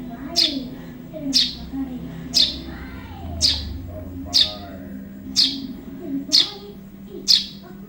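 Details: Repeated piercing chirps from a juvenile Eurasian tree sparrow, spaced roughly a second apart in an even run of eight, over faint low-pitched background murmur; recording meant for training other songbirds.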